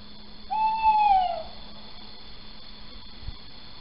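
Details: A male little owl calling at night at Sprundel, 4 January 2020, around 01:08, gives one drawn-out, mewing hoot that swells slightly then slides down, about a second long, over a steady low hum.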